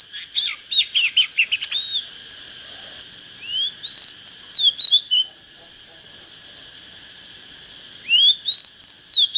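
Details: Oriental magpie-robin, a young bird just coming into fire with a proper voice, pours out fast chattering whistles, then two more phrases of rising slurs and quick, looping notes over a continuous high tone.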